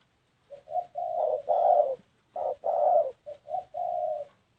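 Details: Spotted dove giving the cooing style known as gù: soft low hooting notes, two short lead-in coos then longer drawn-out coos, the phrase repeated twice in quiet surroundings.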